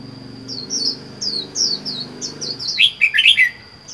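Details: Lone caged red-whiskered bulbul, caught wild four months earlier, gives a rhythmic series of bright down-slurred whistles about every third of a second, ending in a loud tumbling chattery flourish. A constant shrill hum runs underneath.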